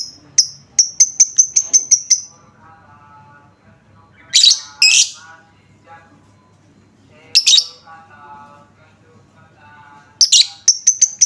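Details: Pancingan, a lovebird lure sound to set other lovebirds singing: a rapid series of sharp ticking notes merging into a thin whistle, then harsh screechy bursts, and the ticking whistle returning at the end.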